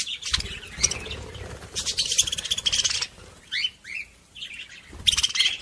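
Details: Budgerigar chatter meant to encourage other budgies: bursts of harsh buzzy warbling alternate with brief clear upswept whistles and a quieter pause before the chatter resumes.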